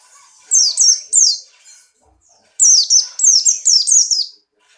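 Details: A white-eye called pleci Buxtoni, in breeding condition and hopping, sings two bursts of piercing, high downward-sweeping whistled notes, three then six in fast succession, split by a brief silence.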